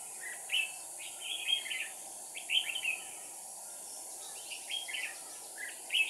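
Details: A decoy red-whiskered bulbul sings to challenge rivals, giving several short bursts of clipped whistled notes spaced about a second apart, moderately faint against a steady hiss.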